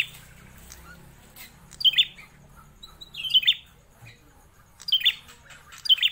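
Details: Prinia called prenjak klawu, a long-kept captive bird, gives loud high chirps at irregular intervals, with short softer notes in between and a quiet room background.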